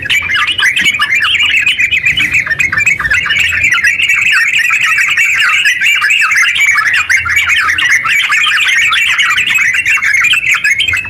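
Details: Long continuous 'ropel panjang' song of a sooty-headed bulbul, used as a lure for other bulbuls; unbroken, rapid stream of chattering, warbled notes lasting over ten seconds at an even, busy pace.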